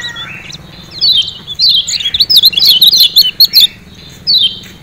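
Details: Lemon-bellied white-eye of Lombok, Indonesia, with 'ciak ciak' calls played to make caged birds sing more often. Brief quiet lead-in, then a dense, rapid burst of high chirping twitters, ending with one lone descending note.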